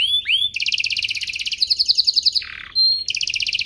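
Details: Song of a domestic canary, easy for young birds to imitate and used to prompt canaries to sing: two upslurred notes, then dense buzzy rolls, a low rolled note, a thin whistle and a final rapid trill.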